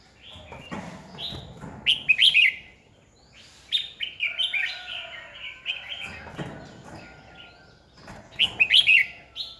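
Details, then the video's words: Competitive-singing Red-whiskered bulbul serving as a decoy to excite other birds during voice training, 2020. Loud warbled bursts at start and end frame a longer, steady stretch of jumbled chirping notes, plus dull knocks. "Chào mào mồi cực hay khi luyện giọng ép bổi sổ bọng 2020, Cách luyện chào mào hót căng lửa 2020"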